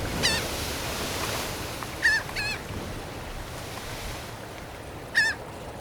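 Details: Gulls flying overhead give four short, nasal, slightly wavering calls, two close together midway, over a steady wash of surf and wind.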